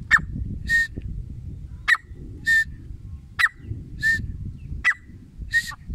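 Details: Desi teetar, the grey francolin, giving a steady call: a sharp clipped note, then a level whistled tone, repeated in even pairs roughly every one and a half seconds over a low rumbling background.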